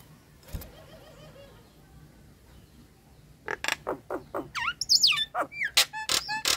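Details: Nias hill myna used as a singing lure for silent, stressed or molting birds: a quiet opening with a faint wavering note, then loud harsh bursts, swooping whistles and sharp squawks.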